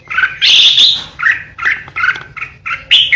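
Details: Rapid, choppy bursts of whistled notes from a caged decoy red-whiskered bulbul in fierce 'ché' song, the short phrases repeated in quick succession with a loud, piercing quality.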